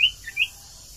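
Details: Common iora, lively singer used as a lure sound: two sharp, high whistled notes about half a second apart, with a softer lower note between them, over a quiet background.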